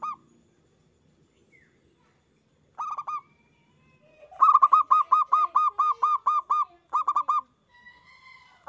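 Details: Loud local zebra dove song on a lure recording to stimulate other doves: a short group of three coos, then a long run of about a dozen evenly spaced, ringing coo notes, ending with a fainter thin whistle.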